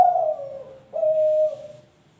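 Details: Caged spotted dove, three months old, delivers two drawn-out hollow coos, the first sliding down from higher pitch, the second steady and level, with a faint low rhythmic hum beneath.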